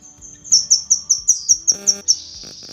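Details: Female cucak kinoi leafbird calling the male: about nine clear, high, downslurred chirps at an even quick pace, followed by a thin sustained whistle.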